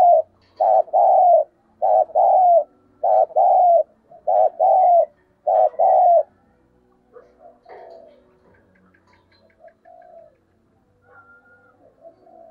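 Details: Lure calls of a spotted dove meant to bring in other doves: six rapid, regular double coos over the first six seconds, each a brief note and a longer hum, then quieter scattered faint sounds and soft coos.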